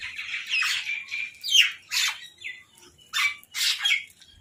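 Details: Crows squabbling over food as they feed, giving loud, raspy, descending squawks in short bursts and doubled notes, separated by short quiet gaps.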